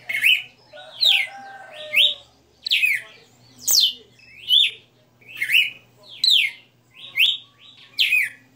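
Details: {'c': "Red-cowled cardinal kept by an owner, singing the '60 notas' melody: sharp downslurred and upslurred whistles repeated at an even pace over a quiet hum, with a soft lower chatter at the start."}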